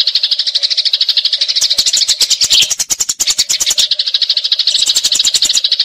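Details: Eurasian tree sparrow fighting, long rolling chatter used to train magpie-robins: rapid scratchy chirping throughout, with a loud run of dry clicks in the middle section.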